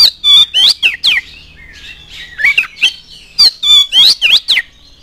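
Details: Oriental magpie-robin singing energetically as a provoking lure for other magpie-robins, pouring out fast whistled upslurs and downslurs mixed with rasping notes in two dense bursts.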